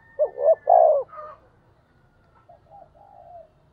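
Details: Spotted dove calling the flock, thổ-style voice: quick low coos running into a long drawn coo early on, then faint, softer cooing fragments trailing off over a quiet background.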